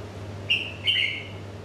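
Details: Red-whiskered bulbul giving two clear whistled notes, a short first note and a longer second one that slides slightly downward, over a low steady hum.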